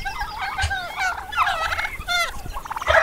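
A turkey gobbles in rapid bubbling, wavering bursts over about three seconds, several sharp rattling notes tumbling together at mid pitch.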